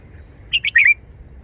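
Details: Red-whiskered bulbul giving one short wild-style song (phleng pa), a quick run of three clear, chirpy, warbling notes that ends in a slurred flourish.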